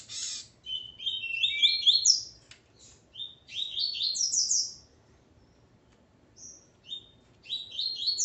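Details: Male double-collared seedeater, with his female, pours out long rapid sequences of ascending slurred chirps and high sharp notes, pausing briefly before resuming with another bright rising run.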